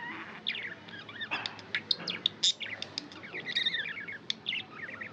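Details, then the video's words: Pet budgerigar warbling: fast mix of slurred rising and falling notes, sharp clicks and high chirps, busy and continuous throughout. "Budgie chirping sound & love"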